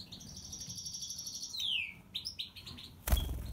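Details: White-throated Major European goldfinch singing a sustained buzzy trill, then a sharp falling slur and several clipped twitters, ending with a loud knock and low background hum.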